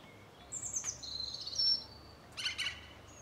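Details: A mistle thrush from a garden-visiting family of two parents and three juveniles gives one dry, harsh rattling burst after thin, high, falling whistles, with faint background hiss.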